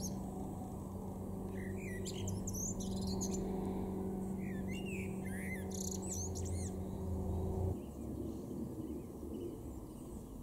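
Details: A male Common blackbird in a garden in Weener, East Frisia, northwest Germany, in March 2024 sings low, fluty warbled phrases ending in thin, squeaky twitters, over a steady mechanical hum that stops near the end.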